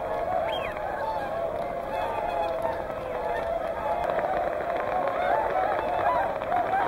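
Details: Whooper and Tundra swans at Hyoko, Niigata: a large flock giving a steady mass of overlapping honks and bugling notes, with some louder rising calls standing out.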